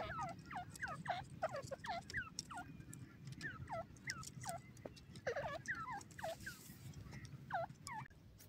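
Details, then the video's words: Grey francolin (dakhni teetar) calling rapidly, with many hooked, down-then-up shrieking notes tumbling in overlapping runs, suggesting more than one bird, against a steady low hum and a faint hiss. "grey pheasant bird lover awaz, dakhni teetar voice"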